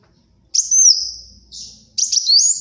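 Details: Brown-throated sunbird singing energetically, offered for luring and tutoring: two high whistled phrases, the first a long thin note gently falling, the second a twittering rise after a brief gap.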